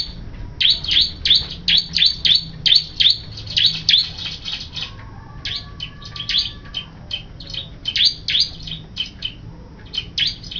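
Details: Crystal white-eye in full, lively song: fast bursts of high, sharp chirping notes, several per second, delivered in continuous chattering phrases, with a faint low hum behind.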